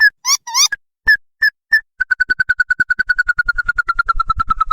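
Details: Ruddy-breasted crake lure sound for making wild birds respond: squeaky rising notes and single sharp calls lead into a rapid, steady train of pulsed notes slowly falling in pitch.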